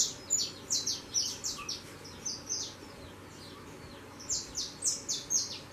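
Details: Fledgling saffron finches leaving the nest and flying call in two bursts of loud, high, downslurred chirps, several per second, separated by a quieter pause.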